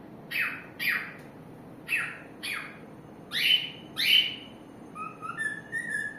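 A cockatiel sings a run of bright, downward-sweeping whistles, then ends on softer rising notes.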